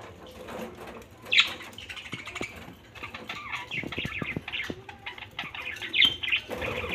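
Budgerigars chatter in a busy stream of high warbles, clicks and sharp chirps.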